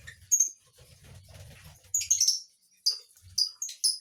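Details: Lovebird giving sharp, high chirps, first two brief notes then a rapid cluster and several quick shrill notes near the end, over a low steady hum.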